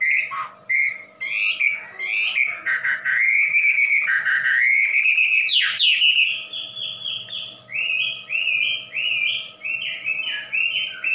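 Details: Wambi, a popular loud-voiced songbird of Indonesia, gives sharp upswept notes and then a long wavering whistle, followed by rhythmic bursts of stepped, bright whistled phrases about once a second.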